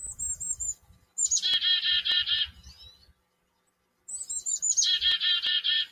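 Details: Chickadees singing in a backyard. Two bouts each open with thin, very high whistled notes, followed by a burst of harsh buzzy repeated notes. A quiet gap separates the bouts.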